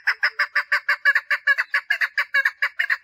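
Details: Female chukar partridge, calling to attract a mate: a quick, insistent series of around eighteen coarse clucking notes, several split into double notes.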